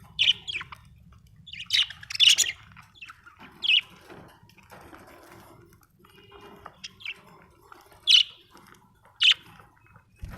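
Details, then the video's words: Budgerigar chirping: scattered short, bright chirps, often in pairs, spaced a second or more apart over a faint low hum, with a soft clunk at the end. "budgie chirping sound"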